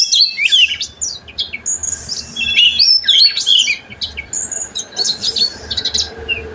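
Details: Oriental magpie-robin singing to set off other magpie-robins; scattered high whistles, short rising and falling sweeps and scratchy notes in bursts, against a steady faint background hiss and hum.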